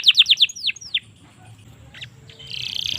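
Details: Domestic canary giving five rapid falling whistles and two slower slurred notes, a pause with faint chips, then a soft buzzy trill starting.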